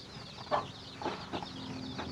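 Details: Chickens finding food for their babies: four short, emphatic clucks about every half second stand over a continuous chorus of high, thin chick peeps.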